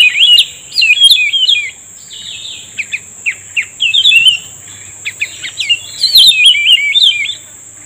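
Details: Cucak rumbai tungging answering a trapping lure with its enticing song. Wavering, bubbly whistled runs alternate with single short sharp notes spaced about half a second apart, all over a steady high whine.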